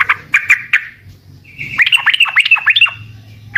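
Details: Sooty-headed bulbul singing to prompt responses: three sharp chirps, a pause, then a quick string of down-slurred whistled notes over a steady tone, with low hum beneath.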